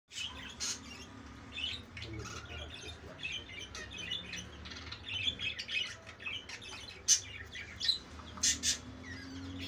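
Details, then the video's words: Budgerigars in mating season: a quiet, busy stream of short high chirps and squeaky warbled notes, irregular and overlapping, with a few sharper peaks near the end over a steady low hum. "budgies mating season"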